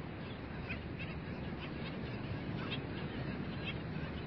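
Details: Skimmers calling at dawn in a beach bird sanctuary: short, nasal, honking barks, spaced irregularly, several per second at times, set against a steady, heavy low rumble that covers the whole recording.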